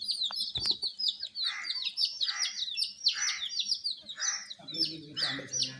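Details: Many coloured chicks kept warm cheep continuously in high falling notes, while lower rhythmic calls pulse about once a second, a sharp knock sounds early and a low humming tone enters near the end.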